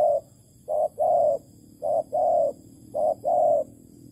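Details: Malaysian spotted dove, bird trapping with plain bait on 11.08.2020; three clear pairs of coos, each a brief note then a longer, slightly falling mellow one, evenly spaced.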